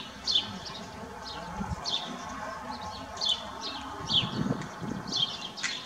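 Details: A house sparrow perched on a hand, recorded close up, gives short, bright chirps about once every second or so, with soft low rustling and handling noise underneath.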